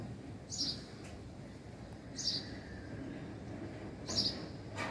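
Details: House sparrow chirping: three short, high chirps spaced roughly two seconds apart, with a steady low background rumble.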